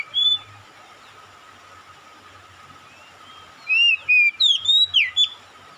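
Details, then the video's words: Oriental magpie-robin answering another magpie-robin: after a short whistle and a long quiet stretch, a lively run of five or six loud, sweeping whistled notes in quick succession, over a steady background hum. "KACER MEMANGGIL | KACER LAIN LANGSUNG RESPON GACOR"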